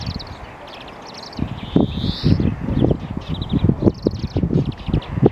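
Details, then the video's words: European greenfinch singing: short, fast twittering trills repeat through the phrase, and a drawn-out nasal wheeze slides downward near two seconds. Heavy low rustling and thumping noise runs beneath the song. "Зеленушка поёт"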